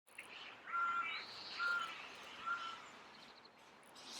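Great spotted woodpecker giving three sharp, abrupt 'kik' calls, a little under a second apart, over a steady outdoor hiss.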